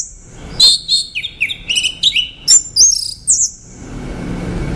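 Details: Orange-headed thrush pouring out a fast, varied run of high twittering and sliding whistled notes for about three seconds before falling quiet.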